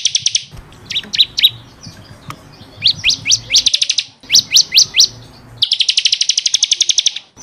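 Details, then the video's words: Bar-winged prinia on a caged-bird training recording: clusters of sharp rising chirps in small groups, followed by a long, fast trill of repeated high notes. "SUARA BURUNG CIKRIS | CIBLEK KRISTAL GACOR BUAT MASTERAN"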